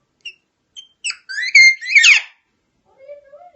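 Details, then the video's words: Talking parrot indoors giving short whistled notes, then a burst of high, harmonic, voice-like chatter with rising and falling tones, ending in a quieter lower whistle. "Cute parrot talking and making sounds"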